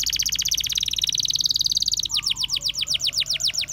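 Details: Canary song recorded in the wild: a rapid, dense high trill that slides slightly lower, then changes into a slower run of repeated downward-swept whistled notes, about four per second.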